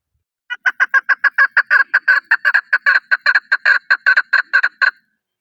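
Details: Chukar partridge, Pakistan's national bird, delivers about twenty-two crisp chuk notes in four and a half seconds, starting soft and quickly swelling to full volume before stopping abruptly.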